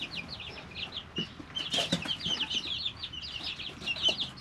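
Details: Chicks three weeks old in a brooder keep up a continuous chorus of high, short, slurred peeps, with scattered pecking clicks and soft scuffling.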